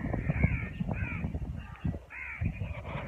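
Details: Birds near neem and moringa trees with winter coming, calling in rough, grating caws that come close together, with a low background rumble throughout.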